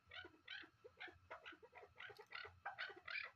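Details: Hunting chukar partridge, a captive bird, giving a rapid series of harsh, chuck-like notes about three per second, each a broad burst with a lower gliding tone, steady and fairly loud throughout.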